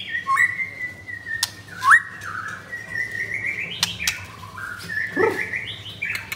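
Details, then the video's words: Leg-ringed Blorok white-rumped shama at a Jakarta bird kiosk giving long drawn whistles with stepped pitch changes and a sharp upward flick, over a low constant hum and scattered clicks. "Murai Batu Pastol Blorok Extreme Double Ring Apbn Bnr Gacor"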